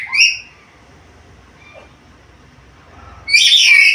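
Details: Vocal, talking black-capped lory with varied sounds: a short harsh squawk, a long pause with faint soft notes, then a loud, rasping, drawn-out squawk.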